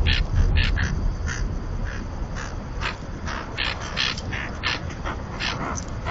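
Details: Common terns, pairs incubating at a floating-platform colony in the Marismas de Astillero reserve, Santander Bay, Cantabria; rapid, irregular chatter of short grating calls, roughly two or three per second, over low steady background noise.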